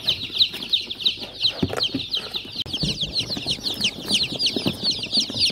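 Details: Chicks peeping in a dense, continuous chorus of rapid high downslurred cheeps, many birds calling at once, with scattered lower rustling and knocks underneath.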